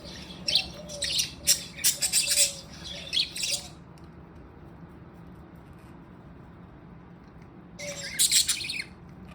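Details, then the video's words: Happy budgerigars at play give a run of sharp chirps and scratchy squeaks for about four seconds, fall silent against a low hum, then chirp again briefly. "Happy & Playing Beautiful Budgies sounds"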